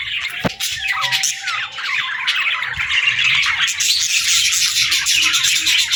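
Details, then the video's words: Several young budgerigars at play, singing and chattering: busy overlapping squeaky chirps and buzzy warbles, a steady flock chorus with a brief low knock near the start. "Baby Budgies Playing & Talking 🐣🎶 | Fun Chirping Sounds"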